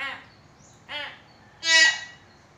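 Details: Common hill myna, a captive bird recorded to prompt quiet mynas into calling: three short harsh nasal calls spaced about a second apart, the last loudest and broadest.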